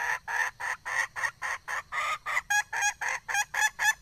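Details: Steady run of reedy, harmonic clucks from a red junglefowl hen, about four per second, the final notes sounding cleaner and more ringing.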